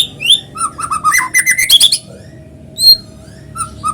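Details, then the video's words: White-rumped shama (murai batu) lure song for prompting other shamas to sing: a quick burst of whistles and sharp repeated notes, then a pause with a few isolated whistled notes. "PANCINGAN BURUNG MURAI GACOR SUARA ALAMI BIKIN MURAI BATU IKUT BUNYI"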